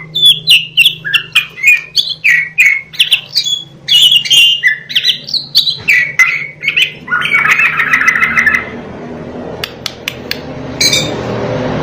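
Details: Black-breasted East Javan Oriental magpie-robin repeating short whistled notes at a quick pace, then breaking into a buzzy, scratchy chatter before the song fades into quiet background hiss.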